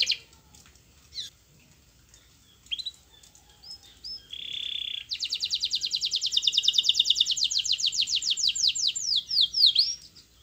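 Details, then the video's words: Canary song used to make quiet canaries answer: scattered short chirps, a buzzy held note, then a long fast rolling trill of repeated notes ending in downslurred sweeps. "Kenari Gacor PANGGILAN JITU Kenari Diam Bakal Nyaut || Pancingan kenari"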